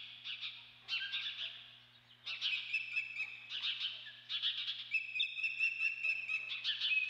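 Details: Osprey calling at the Dunrovin Ranch nest, 28 May 2013, adult female present; dense runs of piercing, squealing whistles follow one another almost continuously, some notes held as thin steady tones, over a faint low hum.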